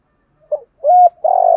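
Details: In the morning, a decoy spotted dove gives its luring coo to make newly caught doves call: a faint short lead note, a smooth level coo, then a long, grainy, throbbing coo.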